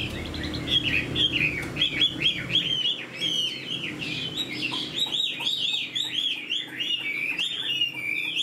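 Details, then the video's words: Singing caged hwamei with fresh plumage and flicking fanned tail: a sustained stream of looping, warbling whistles, rapidly rising and falling, clear and strong from start to finish. "Chim họa mi đuôi xòe, hót vẩy đuôi khướu cực đẹp, lông mới tinh"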